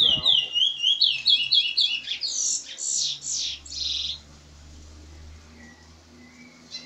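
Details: Curió singing in the canto seguido style at Maiobão, Paço do Lumiar, Maranhão: clear, fast whistled notes that rise into harsher, buzzy phrases over about four seconds, then quiet with a faint low hum.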